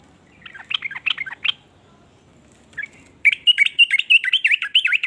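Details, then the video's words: Sooty-headed bulbul voice, meant to prompt other bulbuls to sing along: a short burst of scratchy chirps, a pause with one note, then a quick, lively string of bright zigzagging whistled notes. "ber macam" suara trucukan ini bikin trucuk lain iri jadi langsung ikut bunyi"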